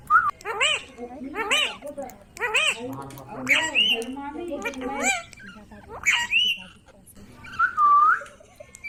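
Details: Ringneck parrot chattering in speech-like, wavering syllables in quick succession, then ending with a clear dipping whistle.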